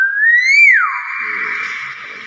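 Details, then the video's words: Common hill myna kept as a pet, producing one pure whistle that rises smoothly, peaks, then drops sharply, followed by a held buzzy tone fading out, with a faint murmur beneath. "burung beo pintar"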